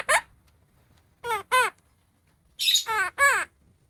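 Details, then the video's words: Pet opaline monk parakeet speaking a new word: five short harsh, harmonic, squawk-like syllables, one at the start, a quick pair after a pause, then a closing run of three, with quiet gaps between. "Opaline Monk Parakeet speaking/Talking Parrot /New Word"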